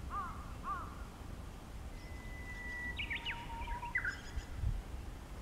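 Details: Japanese bush warbler singing close by on 5 April 2016: two short slurred notes, then a long steady whistle ending in a bright looping flourish, a fainter lower whistle and a final brief twist, over low rumble.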